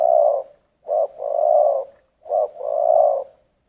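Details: Giọng thổ style cooing of a spotted dove: deep, steady phrases of a short introductory note and a long, swelling coo, repeated about every one and a half seconds.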